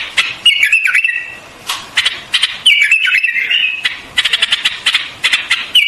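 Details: White-eared bulbul song with wavering whistled phrases that rise, fall and level out, punctuated by rapid clicking bursts.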